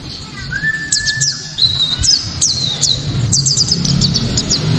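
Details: A white-eye, used as a lure to make other white-eyes sing, gives a loud, sharp, fast, high-pitched twittering song of quick falling chirps and thin whistles over a steady low rumble.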